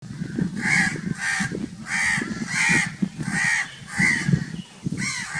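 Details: Crows giving very loud, harsh caws, about six broad raspy calls in quick succession with a low rumble of background noise.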